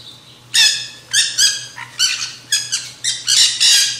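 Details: Harsh, rasping screeches from nanday conures feeding on seed at a backyard feeder, about eight strident calls in four seconds, each sharp and buzzy, over a constant low background hum.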